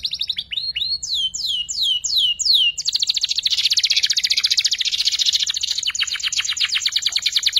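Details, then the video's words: Young canary learning its twittering ngeriwik song: a run of looping downward-curving whistled notes about every third of a second, followed by a long, rapid, even high trill. "PANCINGAN KENARI PAUD BELAJAR NGERIWIK"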